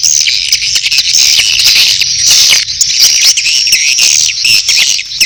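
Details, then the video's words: Swiftlets giving courtship (birahi) calls mixed with chick calls, a lure recording for a swiftlet house. Dense, continuous high buzzy chattering and twittering with rapid clicks throughout. "SP.BIRAHI+ANAKAN+RBW 1 ( LINK LANGSUNG DOWNLOAD MP3 SUARA WALET DI DESKRISI)"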